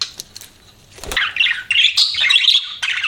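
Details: Pet budgie opening with a few clicks, then breaking into a continuous buzzy, warbling chirp that runs to the end.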